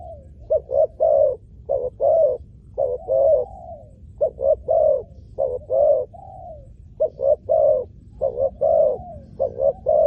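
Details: Spotted dove luring wild doves to a ground trap site, delivering a dense, continuous series of paired coos with occasional longer sliding notes, heard almost without break for ten seconds.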